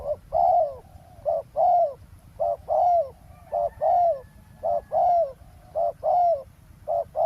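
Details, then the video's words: Decoy spotted dove on the ground by a road, calling while wild doves are trapped: a long run of rhythmic soft coos, short notes paired with longer falling ones, nearly one per second, light background hum. "เสียงนกเขาใหญ่ ต่อ นกเขาใหญ่"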